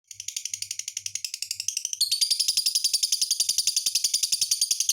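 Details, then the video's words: Lovebird singing: a rapid run of high, scratchy chirps, shifting after two seconds into a louder, denser twittering chatter of even, quickly repeated notes. "SUARA BURUNG LOVE BIRD"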